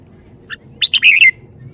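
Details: Caged red-whiskered bulbul singing the 'shaking bottle' style: a soft lead-in note, then a rapid burst of loud liquid chirps running into a rolling warble.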